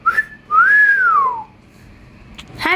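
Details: Indoor pet African grey parrot giving a whistled phrase: a short rising chirp, then a long clear tone that swells and slides downward, followed by quiet room noise and a few faint clicks.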